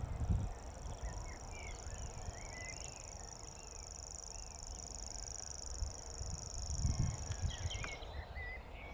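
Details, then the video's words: Grasshopper warbler reeling in Totteridge Valley on 6 May 2017: a long, even, high insect-like trill held without a break for about eight seconds, with short chirps from other birds and low rumbling background noise. "Grasshopper Warbler Reeling"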